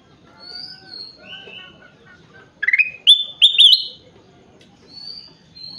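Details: A gacor kutilang emas, or ruby-throated bulbul, in full song: soft scattered whistles, then a loud run of rising, wavering whistled phrases stepping upward, fading back to quieter whistles.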